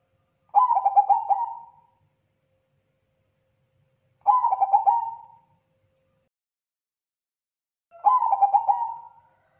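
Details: Zebra dove of the Bangkok crossing type, an actively singing bird, gives three cooing phrases about four seconds apart, each a quick stuttering run of notes easing into a drawn-out steady coo; silence between.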